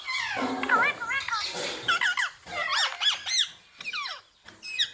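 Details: A ringneck parakeet imitating words like "mummy" and "papa": squeaky, twisting voice-like notes mixed with rougher noisy sounds, ending in a few high separate chirps.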